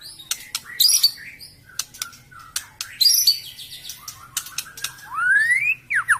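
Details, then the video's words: White-rumped shama song used as a lure: scattered sharp chips and high twittering notes with pauses, ending in a long rising whistle and a few slurred notes. "SUARA BURUNG MURAI PIKAT"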